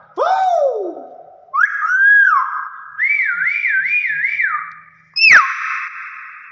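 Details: Hill myna producing clear mimicked whistles: a swooping low note, a rising slur, then a wavy whistle that rises and falls four times, ending with a sharp click and a long held tone.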